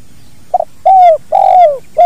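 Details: A spotted dove in a natural training recording for other birds, singing 'kuk dua': a brief broken note followed by two long, resonant coos that fall away at their ends, and the start of another short coo.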